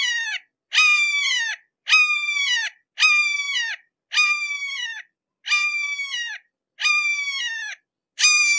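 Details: Eight evenly spaced, piercing, downslurred cries from a red-shouldered hawk, delivered at about one per second in a persistent repeated series.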